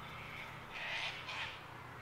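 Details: Two harsh, grating screeches in quick succession from Sulphur-crested cockatoos at Mt Coot-tha in Brisbane, Queensland, 6 November 2022, captured with a Canon R7, against a steady low hum and background hiss.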